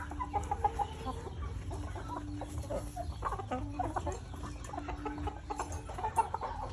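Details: Parent-stock chickens clucking in choppy, repeated notes from several birds at once, set against a persistent low background hum.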